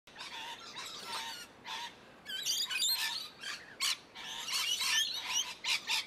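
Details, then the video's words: Several rainbow lorikeets in an umbrella tree screech and chatter in harsh, rasping bursts, overlapping in a noisy, irregular flock chorus. "Rainbow Lorikeets"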